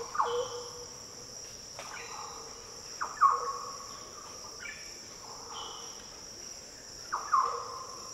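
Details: Three short, deep fluty phrases spaced a few seconds apart from a Green Oriole in Australia's Daintree rainforest, with a loud steady insect drone filling the pauses.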